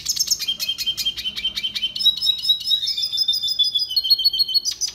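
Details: Song of the red siskin, recorded for training: rapid repeated high chips give way to a long sustained buzzy trill with whistled notes running steadily to the end.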